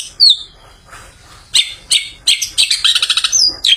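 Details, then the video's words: Long-tailed shrike freshly bathed, its song used as an afternoon lure for other shrikes: a thin slurred whistle, a pause, then loud scratchy bursts and a fast rattling series of chips ending in a high whistle. "Burung Pented Habis Mandi Bikin Seger || Cocok Buat Pancingan Pented Sore Hari"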